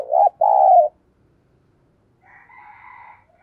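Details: Spotted dove kept as a decoy bird, in a voice style known as sát bổi: two full, low coos, a brief note then a longer wavering one, followed by quiet and fainter higher calls in the background.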